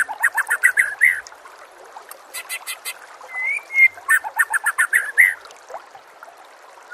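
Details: White-rumped shama song used as a master recording for training other shamas, set with nature sounds and trickling water: rapid bursts of sharp chattering notes alternating with clear rising whistles near the middle, phrases repeated several times a second.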